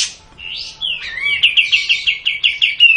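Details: Caged bulbul kept for song training, singing a loud bright phrase: a sliding whistle, then a fast run of about ten sharp rising notes repeated evenly, ending on a held high whistle.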